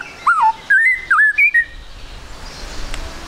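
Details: White-rumped shama singing, meant as a lure so birds start singing fast: a short sequence of slurred whistles, one dipping note and a few higher clear notes, then quiet background hiss.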